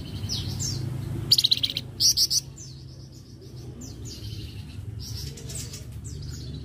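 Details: Flamboyan in a training recording for other songbirds: two short bursts of rapid high chatter, then a sequence of thin descending whistles over noticeable low background rumble.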